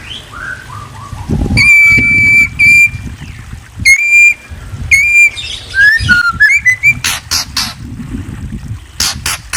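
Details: White-rumped shama giving long, pure, level whistles, each held about a second, separated by pauses, followed by quick slurred descending and rising notes and several sharp clicks.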